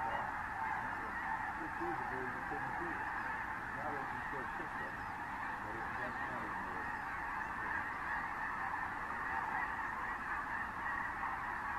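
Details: Thousands of Snow Geese and other species flocking over fields at San Joaquin River National Wildlife Refuge in January 2014 fill the air with continuous, overlapping nasal honks and yelps as they come in to land.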